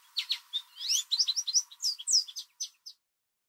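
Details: American goldfinch singing loudly in a backyard in spring, likely a mating song: a rapid, varied run of short, high, sweet chirps and twitters, about three or four per second, then trailing off.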